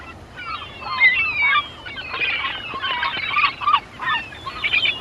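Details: Many wild birds chattering together in nature: dense, overlapping squeaky chirps and short nasal notes that rise and fall in bursts.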